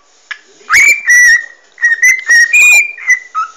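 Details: A pet parrot being scratched on the head, whistling and babbling; bright sustained whistles, some rising, some level, broken by short clicking chatter, recorded indoors by phone.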